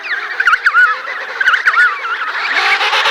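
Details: Emperor penguins feeding chicks at Cape Washington, Antarctica: wavering, warbled whistles rising and falling, repeated in short bursts about once a second over a busy colony background.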